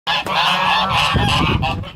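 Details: Two white domestic geese fight at a lake while other geese watch, until one goose breaks it up: loud, continuous honking with harsh nasal blasts overlapping without pause, and a scuffle of lower noises beneath.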